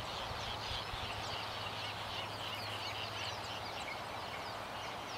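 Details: White terns (Gygis alba) at dawn on Midway Atoll, pairs flying over ironwood trees as the full moon sets, give many short, buzzy chirps overlapping in a dense, high chatter, over a steady low hum.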